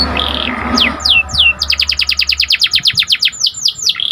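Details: Panda canary, gacor singer, giving a few swooping whistles over a low hum, then a fast regular run of descending whistled notes and a closing rolling phrase.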